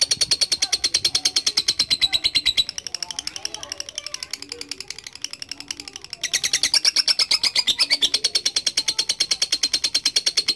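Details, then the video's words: Lovebird delivering a long ngekek trill for training other birds: a fast, shrill ticking run that softens for a few seconds in the middle, then swells back to full strength. "LOVE BIRD GACOR NGEKEK PANJANG"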